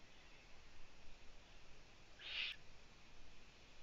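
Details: Owlets looking upwards in their nest, without their mother for two days, give one short, strong wheezy hiss halfway through amid faint hum.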